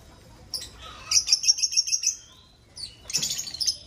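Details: Breeding lovebirds in an aviary give rapid, harsh, high-pitched chattering: a fast run of about ten buzzy chirps, a short pause, then another shrill burst of chatter.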